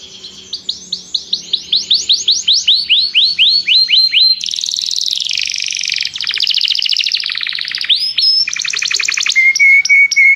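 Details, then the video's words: Canary calling its friend to sing as song training: accelerating series of descending whistled sweeps, then buzzy rattles and rapid trills, closing with level whistled notes. "Canário chama o amigo para cantar - treinando canto de canário"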